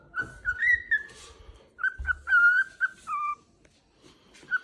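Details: Happy pet cockatiel whistling as it heads off to wake its owner: a busy run of bright whistled notes, some held and wavering, some rising, mixed with dull thumps, fading to a last short whistle.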